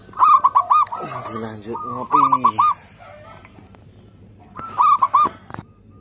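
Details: Local zebra dove song, a lure for doves slow to sing: two quick bubbling coo phrases at the start, a lower harsh layered call in the middle, then another short rolling phrase after a pause.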